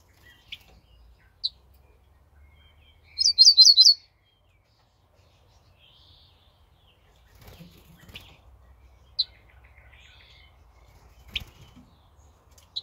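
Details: Ortolan bunting singing on 28 May 2024: a single quick phrase of about five clear, ringing high notes, surrounded by scattered clicks and soft rustling.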